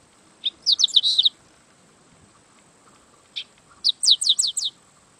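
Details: Yellow-winged blackbird delivering two rapid chattering phrases of sharp, high descending notes, about five to six per burst, with a single note between them and quiet background.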